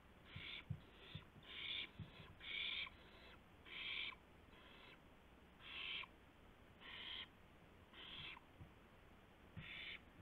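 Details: Owl at 2:51 AM on 2 April 2016 with a gopher for another owl: a steady series of about a dozen harsh, hissing screeches, roughly one per second at first, mixed with soft taps and thumps.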